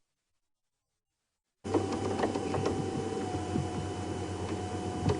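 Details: After a second and a half of silence, a steady engine hum with a faint ringing tone and scattered clicks and knocks comes in during a morning safari drive at Djuma Game Reserve, with no animal calls.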